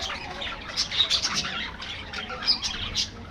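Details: Budgies in an aviary colony giving sharp, scratchy squawks and chirps over a background of flock chatter, a few louder notes rising above the rest.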